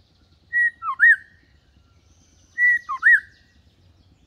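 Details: Lure song of a white-rumped shama, set low and unaggressive, meant to coax juveniles into singing like adults: a short three-note whistled phrase, a flat note then two dipping, looping slurs, repeated every two seconds.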